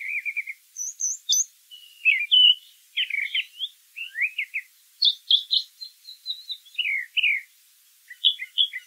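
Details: Brown thrasher singing in nature: a varied string of short, loud phrases, many doubled or tripled, jumping between low burry notes and higher sharp whistles with brief pauses between.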